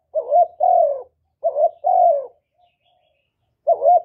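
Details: Continuous coos of a spotted dove (cu cườm) used to stir other doves into calling; two paired phrases, a quick rising note and a drawn-out falling note, then a pause of over a second before the next phrase begins, in silence.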